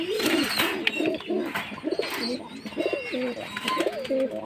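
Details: Jacobin pigeon cooing: low, rolling, throaty coos rise and fall in quick runs, several phrases back to back, with thin high chirps from small birds above and a faint busy background.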